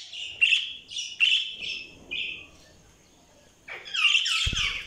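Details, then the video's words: Budgies giving a series of short warbling chirps, four quick bursts in the first two seconds, a pause, then a busy overlapping chatter of higher chirps to the end, with a brief low thump near the close. "Budgies Sounds| Budgies Chirping sound"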